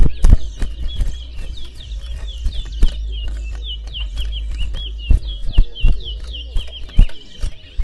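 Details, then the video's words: Towa towa singing during a bird singing competition in Berbice, Guyana: a rapid, steady stream of short high chirped notes repeated throughout, over low thumps, clicks and occasional voices. "Towa Towa Bird Singing Competition"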